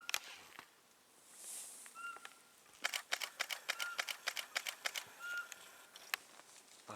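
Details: Eurasian pygmy owl (Glaucidium passerinum) in Solska Forest, Poland, 6 January 2015: short, piping whistled notes a couple of seconds apart, among bursts of rapid camera shutter clicks and faint voices.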